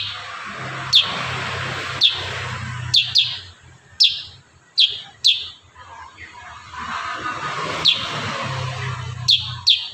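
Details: Kurincang singing actively in a dense 'tembakan rapat' style: sharp, high, downward-sliding chip notes, singly or in quick pairs, every one to two seconds, over a low steady hum.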